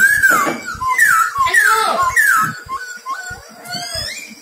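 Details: Lure-bird silver-eared laughingthrush giving loud, clear descending whistles, four strong slurred notes in quick succession, followed by softer shorter whistled phrases, with quiet knocking sounds in the background.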